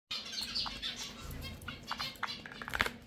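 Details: Java sparrows, described as finches just being birds, give short scattered chirps and clicks over a low background hum, with soft rustling and a brighter cluster of notes near the end.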